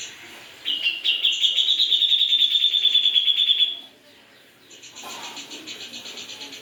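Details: Grey-cheeked bulbul in full gacor song: a long, bright, rapidly pulsing trill held for about three seconds, slightly falling at the end, followed by a softer buzzy trill.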